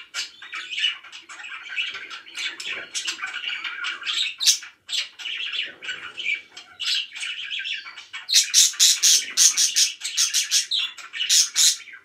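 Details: Very happy pet budgies: steady twittering chatter, then from about the eighth second a run of sharp, loud, evenly spaced clicking chirps over the warbling.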